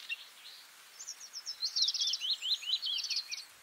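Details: Bluethroat delivering a fast rattling phrase of tightly packed high chirps over a steady background hiss, rising and falling in a zigzag pattern for about two and a half seconds.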